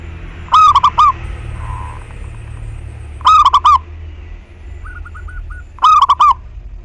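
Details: Local zebra dove singing, used as a lure to prompt other doves to sing: three short bursts of rapid, rolling cooing notes, each burst about half a second and repeated roughly every two and a half seconds, with faint other bird notes between.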